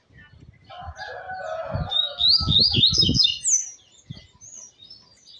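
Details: Double-collared seedeater singing shortly after midday, a fast tumbling series of sharp chirps and slurred whistles, overlapping a low-pitched voice and a steady hum of a second tone.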